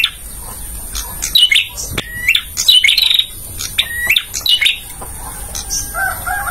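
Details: Song of a male bar-winged prinia for caged-bird training: rapid sequences of level whistles rising into buzzy twittering notes, densely repeated, with a lower warbling note from another bird near the end.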